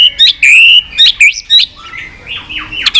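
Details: White-rumped shama in fighting-song mode: rapid, shrill whistles and sharp chips at nearly two a second, then softer swooping warbled notes.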